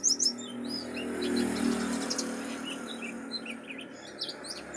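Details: Pleci dakun, the mountain white-eye, from Pacitan: scattered high twittering notes and short upslurred whistles, irregularly spaced, partly masked by a loud low hum like a passing vehicle.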